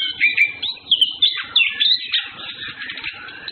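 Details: Orange-headed thrush pair flirting, males and females together; bright whistled notes and quick twittering phrases, ending in a dense run of fast chattering trills.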